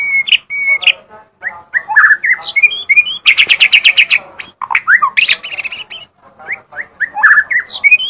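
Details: Magpie-robin singing energetically: a varied, loud song of whistled notes, sliding slurs and harsh squawks, with a rapid buzzy trill of repeated notes in the middle and scratchy chatter between phrases.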